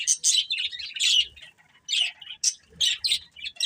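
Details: Chirps from a breeding pair of budgerigars: short buzzy high bursts in uneven groups, with pauses of about half a second between clusters and light low taps.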